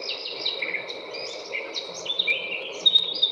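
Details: Eurasian Blackcap song, played as an alto example that doesn't hit the high notes, unlike the garden warbler: a rich, quick warble climbing into clear fluty notes over a faint background hum.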